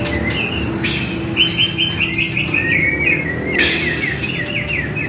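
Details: Training track of white-rumped shama song meant to prompt a caged shama to respond: quick runs of clipped, rising whistled notes and short trills, with a sharp burst midway and a constant low hum underneath.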